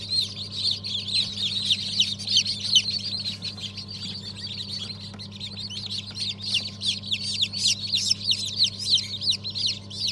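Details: Large group of newly hatched chicks, Habeş, Sultan and İspenç breeds from a 1 December 2022 hatch, peeping incessantly in shrill overlapping calls, rising and falling in loudness, over a steady low hum.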